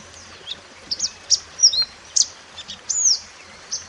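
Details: Mountain white-eye singing in the wild, kept as a master song for tutoring other birds: scattered high, thin notes, some sweeping down and others arching, given in short separate bursts with pauses between, over a low steady hum.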